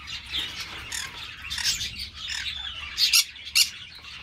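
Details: Captive green-cheeked parakeets at an amateur breeding aviary giving harsh, scratchy squawks and chattering notes, with louder raspy bursts near the end over a steady murmur of calls.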